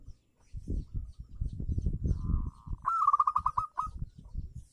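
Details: Local zebra dove, used to lure doves that stopped singing, gives a soft steady coo, then one loud burst of rapid staccato bubbling notes, over low rumbling thumps.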